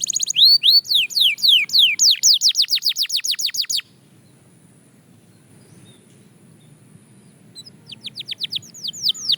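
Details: Fast-tempo song of a Belgian canary: a dense high trill with loud downward-sweeping notes for four seconds, a long silent pause, then the quick descending notes resume.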